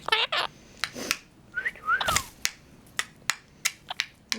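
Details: Pet male Monk parakeet (Quaker parrot) chatters in mimicked speech such as "pretty boy" and "step up", with short whistled notes, sharp clicks and laughing, indoors with its owner.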